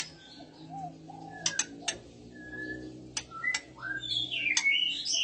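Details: Oriental magpie-robin, a female in breeding condition with males responding: short clear whistled notes and rising slurs, sharp click-like ticks scattered through, ending in a burst of high twisting whistles.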